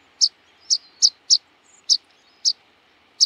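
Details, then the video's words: Rock pipit of the sea coast giving loud sharp high single chips, spaced roughly every third to half second, each brief and slightly descending. "Luotokirvinen - Anthus petrosus - Rock Pipit - skärpiplärka"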